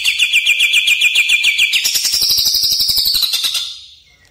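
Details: Greater green leafbird song used to train caged birds: a fast, steady rattling trill of clipped notes that shifts to a higher, harsher buzz, then fades out near the end.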